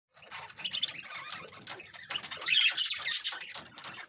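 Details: Budgies chirping: a dense, fast warble of high twittering chirps and squeaky notes that swells louder in the second half, with sharp clicks throughout.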